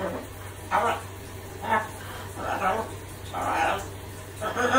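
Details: A macaw, imitating park dogs' barking while showering indoors, gives five hoarse, dog-like barks, about one per second, over a steady low indoor hum.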